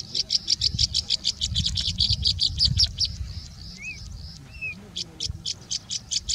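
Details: Singing bushlark (Horsfield's bush lark, Mirafra javanica) in India giving mimicry song: a rapid run of high, dry chirps, about three a second, with a few slurred whistles mixed in over low rumbling noise.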